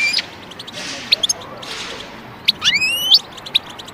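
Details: European goldfinch calling, played to tame birds: a few short high chirps, then one long upward-sweeping whistled note with harmonics, over a faint background hiss.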